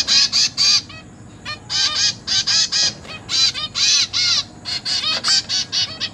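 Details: Zebra finch chicks begging as their caged parents feed them, 29 September 2023: bursts of loud buzzy nasal calls in quick runs, separated by short gaps, strong and insistent throughout.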